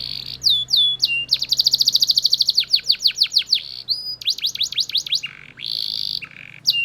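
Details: Belgian canary in full loud song: a fast, even trill of clipped notes, then spaced descending sweeps and short whistled phrases, with a faint low hum underneath.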